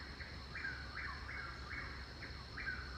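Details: Chuck-will's-widow (Antrostomus carolinensis) repeating its rolling, whistled four-note "chuck-will's-widow" song about once a second, with steady insect drone and low rumble; typical of evenings and mornings around a garden.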